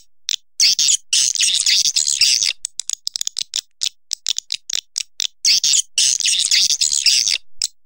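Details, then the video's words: Swiftlet calls: dense bursts of high, scratchy chirps and twitters, clustered in rapid irregular runs with brief silent gaps between them. "Suara walet terbaik 2020"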